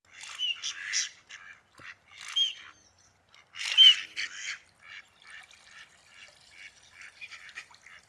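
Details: Male Mallard courtship display: soft, husky quacks in short bursts with a thin whistled courtship peep at about four seconds, then fainter quiet chatter.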